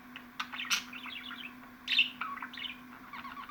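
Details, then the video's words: Budgerigars calling in a track for pet budgies: a few loud squeaky chirps followed by soft rapid warbling phrases, low steady hum in the background. "MUHABBET KUŞUNUZ ÇILDIRACAK,MUHABBET KUŞU SESİ"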